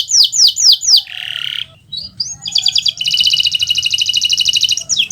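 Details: Gacor Kenari Nusantara canary song meant to teach other birds: a few fast downward whistled sweeps, a rough rasping burst, a pause, then a long rapid rattling trill ending in another sweep.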